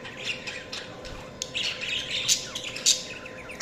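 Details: Budgerigars chirping: quick scattered tweets and squawky warbles, growing denser in the second half with several piercing high peaks.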